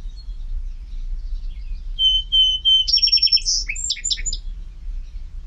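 A Song Sparrow opens with three clear, even whistled notes, then a quick buzzy trill and a jumbled run of high notes. The background is otherwise quiet.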